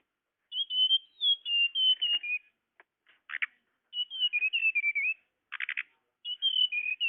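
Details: Tledekan lure sound for catching birds: repeated high whistled phrases of quick wavering notes drifting downward, separated by short, harsh, rattling buzzes.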